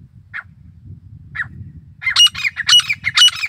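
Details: Grey francolin (desi teetar): two spaced single harsh notes, then a loud, rapid run of screechy, ringing triple-note phrases about twice a second, over a low rumble of background noise.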